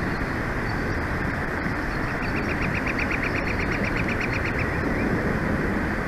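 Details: Bald eagle at a pair's nest in Big Bear Valley, recorded by a live nature cam on 6 March 2024 at 11:41, giving a fast series of about fifteen high chirping notes, all under a strong steady roar of wind.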